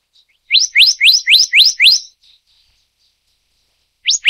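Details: Black-naped monarch of the Taiwan endemic subspecies Hypothymis azurea oberholseri: a rapid run of six sharp, rising whistled notes, about four per second, then a quiet pause and two more rising notes.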